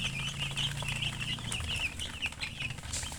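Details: Domestic chicken chicks chirping: a dense, continuous chorus of high, thin peeps overlapping from several birds, with rapid short notes throughout, over a low steady hum and some faint rustling.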